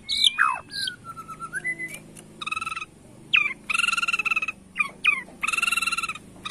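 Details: Bornean white-rumped shama, singing in 'sujud' bowing style to provoke rivals, mixes sweeping whistles with harsh, buzzy, rasping notes repeated in short blocks, separated by brief pauses.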